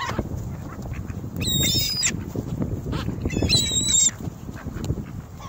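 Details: Ring-billed gulls mobbing bread and crackers at North Lakes, recorded by a phone among the birds: two loud bursts of high, strident overlapping cries separated by about two seconds of low rumbling noise.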